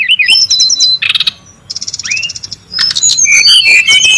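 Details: Wild, noisy brown-chested jungle flycatcher, lure and tutor recording: zigzag whistled notes, a buzzy burst, a rapid pulsing rattle with a rising upslur, then a dense mix of whistles and chirps.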